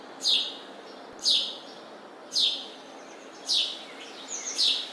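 A sparrow gives five bright, slightly falling chirps, about one per second, with a soft extra chirp near the end over a faint steady hiss.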